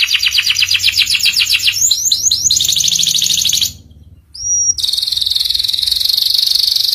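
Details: Canary master song in ngeriwik style for young birds to copy: rapid chattering trills and quick slurred notes, a brief hush, then a single thin whistle leading into a long buzzy high roll.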